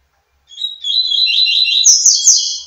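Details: Double-collared seedeater singing to a female: after a brief silence, a fast, high, twittering warble of run-together chirps, growing denser and brighter toward the end, with no other sounds.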